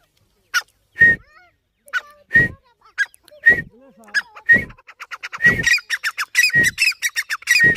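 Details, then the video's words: Francolin, the Irani teetar, giving loud, harsh, clipped call notes with a ringing tone, spaced at first, then running into a fast stuttering series toward the end. "Irani teetar ki awaz/teetar sound"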